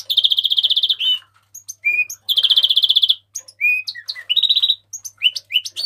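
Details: House finch song: fast buzzy trills alternating with short rising and falling whistled notes and chirps, delivered in lively bursts with brief pauses.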